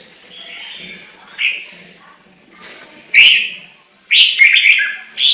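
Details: Chinese hwamei singing: soft warbled phrases build into loud, clear whistles, ending in a rapid cluster of rising and falling whistled notes.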